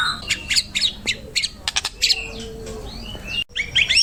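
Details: Scattered sharp chirps and clicks of a white-rumped shama, with a few rising whistles, then a brief cut and a burst of quick twittering notes. It comes from a training recording.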